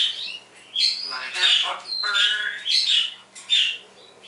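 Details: Pet parrot saying words and imitating sounds at home in the morning: harmonic, voice-like phrases with rising and falling tones, broken by high squeaks.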